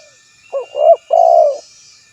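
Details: Phrase from a spotted dove calling a rival, recorded to lure others: three soft low coos, the last long and steady, slightly falling at the end, loud over a quiet background.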